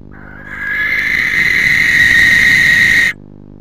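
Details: At 3:16 am on 19 January, a nesting pair of barn owls greets and grooms inside their box: a rasping, hissy screech swells up from quiet over half a second and holds, strong and unbroken, for about two and a half seconds before cutting off.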